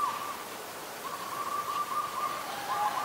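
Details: Asian koel, male and female shown, calling with clear, fluty notes held near one pitch, wavering slightly and running almost without pause over three seconds against a soft hiss.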